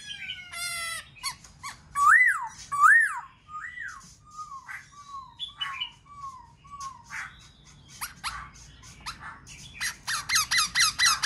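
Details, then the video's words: Black-throated laughingthrush song intended to stimulate other birds: varied whistled phrases with arching up-and-down notes, a chain of short falling slurs, and a rapid stuttering burst at the end. "Khướu bạc má kích bổi hót múa dễ dàng"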